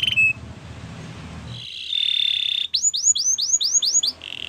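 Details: Canary song for training other canaries: after a faint noisy start, a steady buzzy trill gives way to a run of rapid, sharply falling whistled notes, finishing with a short trill.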